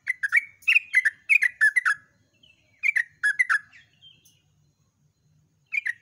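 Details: Yellow-vented bulbul at dawn singing a long, rapid ropel-style song: three bursts of bubbly, chattering notes that rise and fall, with quiet pauses between phrases.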